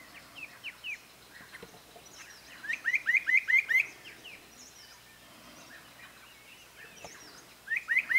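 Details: Spot-breasted parrotbill, somewhat distant, with scattered chips followed by a burst of five or six quick, rising slurred notes. Another burst begins at the end, and faint high chirps from other birds are heard in the background.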